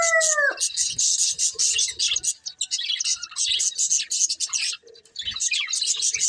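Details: Breeding budgerigar pair: a short clear descending whistle opens, then a long run of fast, high, buzzy chirps and warbling chatter with a brief lull near the end.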